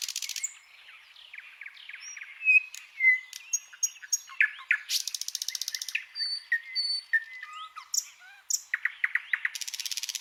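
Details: Master training recording of white-rumped shama (murai batu) song: a rich medley of clear whistled notes, quick chirps and short high buzzy rattles in irregular succession, with no other sounds.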